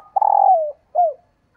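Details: A female dove's lure call: a long, buzzy, rolling coo that drops in pitch, followed by a short down-slurred coo, with no other sounds.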